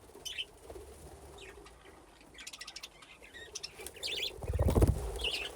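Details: Aviary budgerigars at play near nesting boxes; quick high chirps and a stuttering run of clicky notes build up, ending in a loud thump and wing flutter followed by another chirp.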